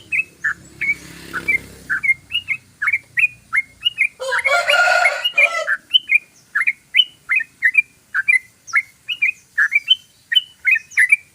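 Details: Yellow-vented bulbul singing a long ropelan song, a rapid continuous sequence: crisp repeated chirps at about two to three per second, interrupted early by a loud harsh rasping burst, with a brief rustling noise near the start.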